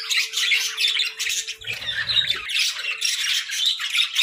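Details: Budgerigars breeding in winter chatter in dense bursts of high, scratchy chirps and squawks, a steady low hum running through the first half.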